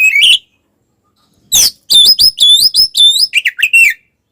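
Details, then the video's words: Provoking fight song of an Oriental magpie-robin: an opening harsh note, a pause, then a rapid string of sharp, upslurred whistles and chatter. "SUARA BURUNG kacer gacor TARUNG konslet"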